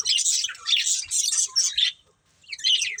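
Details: A breeding pair of colourful budgies chattering in quick, scratchy high chirps, then a short silence before another burst of twittering.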